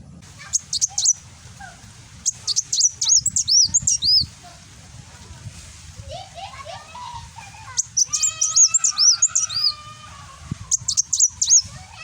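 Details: Van Hasselt's sunbird (kolibri wulung), Gresik, East Java, singing nembak for cage-bird tutoring: repeated bursts of thin, high, rapidly slurred whistles, with lower-pitched warbling from another bird between bursts.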